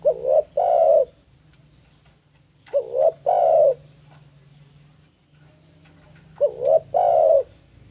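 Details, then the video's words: Spotted dove in breeding condition, cooing aggressively at a rival. Three two-part phrases spaced a few seconds apart, each a short quavering coo followed by a fuller, prolonged coo. A soft low drone continues between the phrases. "Suara Burung Tekukur Jeboll GACOR BIRAHI MENANTANG LAWAN"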